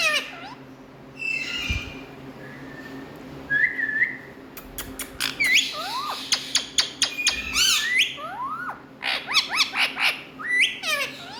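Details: Indian ringneck parrots kept as talking pets: soft whistles open the passage, then a dense stretch of sharp clicks and falling, squawky harmonic calls builds up with a low indoor hum.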